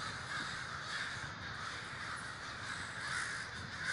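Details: Crows gathering in large numbers at Davis, California, cawing together; a steady, jumbled chorus of hoarse calls from many birds, rising a little near the end.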